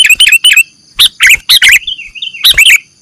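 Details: Sooty-headed bulbul lure call: clusters of sharp, bubbly chirps, a thin wavering whistle between them, and a final pair of bright notes.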